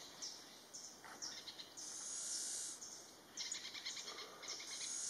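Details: Flame-throated warbler: faint, very high, thin buzzy notes and short trills in irregular bursts, with a longer sizzling buzz near the middle, over a soft background hiss.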